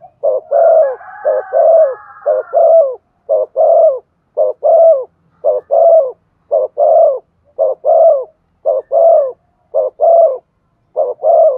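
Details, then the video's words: Spotted dove giving rapid urging coos to provoke wild birds, a long steady series of low, hoarse paired notes repeated about once a second, with a faint overlapping coo early on. "Chim cu gáy kích bổi nhanh nổi. tiếng cu thúc gù hay"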